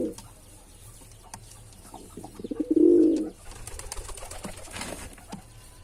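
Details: One soft, low pigeon coo swelling and fading, from a male bird, within otherwise quiet indoor sound with faint clicks and hiss.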